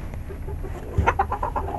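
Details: Chickens going to bed in a coop at night: quiet at first, then a burst of louder, short clucks repeated rapidly in the second half, with a constant low background hum.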